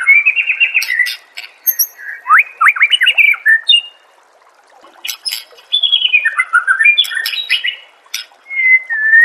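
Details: White-rumped shama (murai batu) singing, used as a master song for training caged birds: a quick trilled phrase, then a rattling series of sharp notes, a brief pause, and another burst of descending whistles and chatter.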